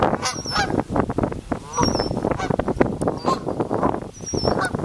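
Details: Canada Goose families honk in a dense, overlapping chorus of nasal, rapid calls, with faint high chirps from small birds above.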